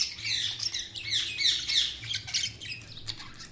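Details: Budgerigar chirping: steady, dense, high-pitched twittering and scratchy squawks, rapid warbled notes tumbling over one another without pause, with a faint low hum underneath.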